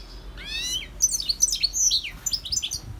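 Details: Wild European goldfinch (Carduelis carduelis) singing: a short rising, nasal note leads into a rapid jumble of tinkling, buzzy twitters and sharp high chirps that continues to the end.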